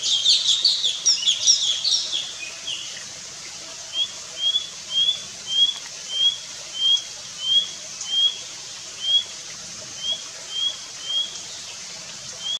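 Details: Nilgiri blue robin (Sholicola major) opening with a rapid jumble of high, scratchy notes, then a steady series of short, thin upslurred calls about twice a second, with another bird calling in the background.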